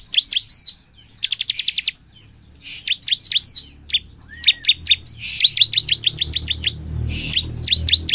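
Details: Bar-winged prinia singing constantly to trigger responses from its kind: rapid trains of thin, high clicks and looping whistled chirps, alternating fast and slower phrases, over a faint low rumble late on.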